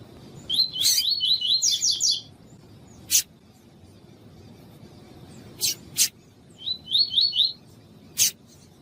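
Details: Spirited male Double-collared seedeater singing in the tui-tui style, roused by a calling female as breeders do before tournaments; two fast phrases of high, buzzy rising notes, about eight then four, separated by sharp isolated chirps.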